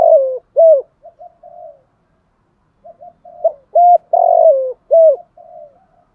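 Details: Morning lure calls of a caged decoy spotted dove meant to draw a flock: two repeated cooing phrases of short hooked notes around one long rolling coo, with quiet murmured notes between them.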